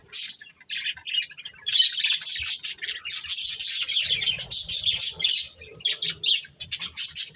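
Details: Pet budgerigars chatter while eating corn, high chirps and warbles building from short separate calls into a dense run, then breaking up again.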